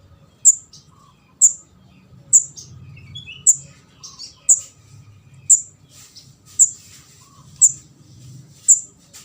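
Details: Begging calls of a juvenile orange-headed thrush, known locally as kemade jawa or ndas abang, used to lure birds: about ten sharp, high, thin notes at a fairly steady pace near one per second, with a quiet low hum underneath.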